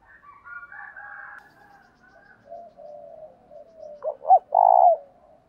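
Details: Spotted dove calling for decoy training, with faint chatter of other birds and soft low coos early on, ending in a loud phrase of two quick clipped notes and a long rolled coo.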